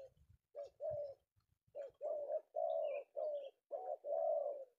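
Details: Male spotted dove (tekukur) caught in Indonesia in the afternoon, cooing in a clear run of rolling, hoarse notes, the last ones long and sustained, after a few low knocks at the start.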